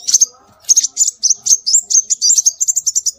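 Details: Scarlet minivet calls used as a bird lure. A near-continuous string of high, sharp whistled chirps speeds up into rapid, evenly spaced notes toward the end, with only brief gaps between the bursts.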